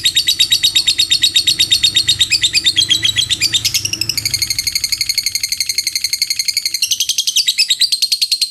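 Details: Lovebird ngekek song, a drawn-out trill of fast, shrill pulses that jumps in pitch a few times but never stops, over a faint low background hum.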